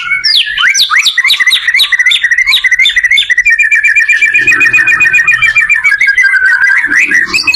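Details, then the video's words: White-rumped shama singing for other shamas to learn from: a rapid string of looping, bouncing whistles, then a long, fast, even trill held for several seconds before a few final slurred notes. "suara burung murai membantu belajar murai batu"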